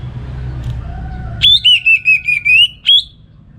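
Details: Orange-headed thrush kept at home in Singaraja, North Bali, in full morning 'ngeplong' song used as a training model: one clear phrase of linked whistled notes wavering at a steady pitch, ending in a separate high note, with a low hum behind.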